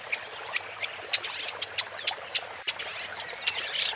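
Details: Woodchat shrike (Lanius senator) singing: a scratchy, chattering run of sharp high clicks and short squeaky notes, irregularly spaced, over a steady hiss.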